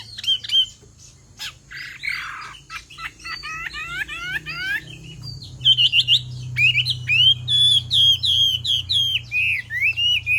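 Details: Female Chinese hwamei calling to rouse a male into song: rapid slurred descending notes and rasping bursts give way to a long run of fast, bright rising whistles.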